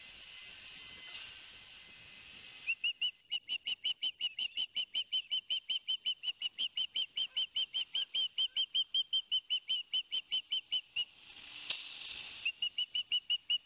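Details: Two young ospreys at Barnegat Light, New Jersey, 13 September 2021, as the father delivers fish: after a few seconds of background noise, a steady train of sharp, high chirped whistles, about three per second, briefly interrupted by a burst of noise.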